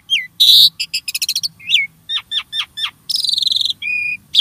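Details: Jalak starling used as a singing prompt for caged birds: harsh loud burst, rapid ticking series, downward clicks, a buzzy rattle and a clear steady whistle.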